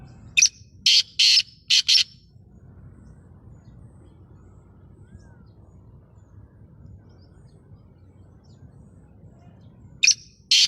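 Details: Black francolin giving a loud phrase of four scratchy, rasping notes in uneven rhythm, a long quiet gap, then the start of another phrase.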